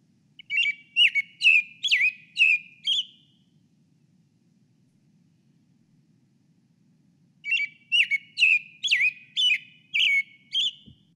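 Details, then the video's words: American Robin song: two bursts of five or six clear, caroling whistled phrases at about two per second, with a pause between bursts; a faint low hum underneath. "the robin i'm gonna go to listen so you can listen to the robin"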